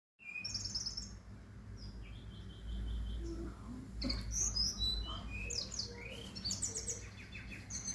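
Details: Brown-chested jungle flycatcher from Bali singing a varied, melodious run of clear whistled notes, some slurred up or down and some short trilled phrases, delivered in quick bursts over a low rumbling background.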